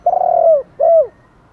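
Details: Spotted dove cooing in the morning to draw other doves, male and female voices: a long low throaty coo drawn out and falling at the end, then a shorter coo with the same downward slur.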